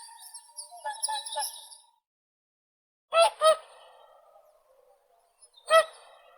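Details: Whooper swan calls: a softer overlapping chorus of nasal, harmonic notes first, then a pair of loud, brassy honks followed by one more after a pause.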